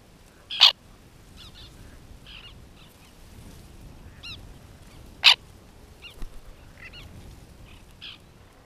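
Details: At a white-winged tern nesting colony in 2021, two loud, harsh, grating calls ring out about five seconds apart, while fainter short chattering notes from other birds carry on in the background.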